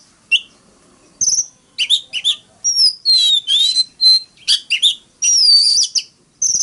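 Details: Oriental magpie-robin in fighting song, a varied run of sharp whistled notes, buzzy chirps and sliding high phrases in short bursts separated by brief pauses, clean background.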